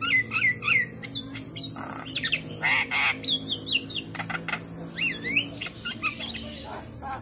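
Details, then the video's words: Black-winged myna master song meant to train young, quiet birds: lively sequence of wavering whistled notes and sharp downslurred chirps mixed with harsh raspy bursts, about three notes per second, over a constant high hiss and low hum. "Jalak Kebo Gacor Masteran Pas Buat Jalak Muda Malas Bunyi"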